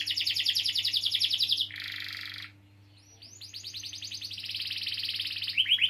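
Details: Canary song with long rolls, a lure for young canaries or ones that stopped singing: a fast high trill, a lower buzzy rattle, a short pause, then rising chirps building into another sustained trill, over a low hum.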